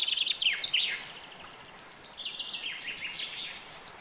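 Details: Gentle common chaffinch singing: a quick run of high notes stepping downward, a short pause, then a longer series of repeated chirpy notes that drop in steps, over a faint outdoor hiss.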